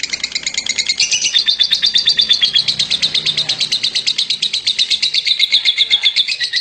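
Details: Champion lovebird singing a long, rapid, buzzy chatter of high notes, rising slightly at the start and running on steadily, with faint low background murmur.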